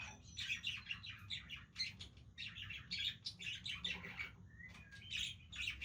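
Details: Budgerigars playing with each other: dense, continuous warbling chatter of rapid scratchy chirps and twitters, overlapping bursts without pause, with a brief clearer whistle near the end and a low background hum.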